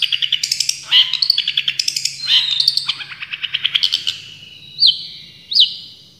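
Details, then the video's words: Full tembakan song of a champion cendet (Long-tailed Shrike): fast repeated chattering notes and buzzy bursts, ending with two separate sharp, downslurred whistles about a second apart. "Masteran Cendet Juara full tembakan"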